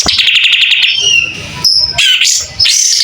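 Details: Tail-fanning kapas tembak white-rumped shama: rapid repeated clicking notes run into a falling whistle, then a short high pure tone and two more bright, slurred whistled phrases.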